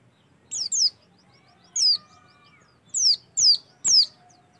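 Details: Oriental white-eye singing, used as a prompt to make white-eyes sing: sparse, very high, down-slurred chirps, a pair, then a single note, then three more, with quiet gaps between.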